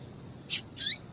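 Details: Female double-collared seedeater call meant to excite a male into song: a short sharp high note followed by a longer, slightly falling shrill chirp, with a low background hiss.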